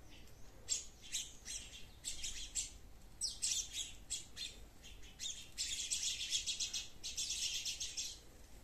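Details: Garden sparrows chattering in a dense, overlapping run of quick chirps, building into a continuous twittering burst in the second half, with several birds apparently calling at once.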